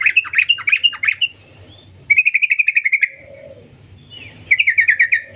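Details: Yellow-vented bulbul singing a long lure call meant to prompt other bulbuls to sing: three bursts of fast, bubbly, chattering notes, each about a second long, separated by short pauses over a faint low hum.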